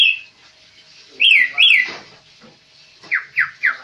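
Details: Tame kaso-kaso bird singing actively: a high whistled note, then two loud slurred rising-falling whistles, a pause, and three quick downslurred whistles at the end.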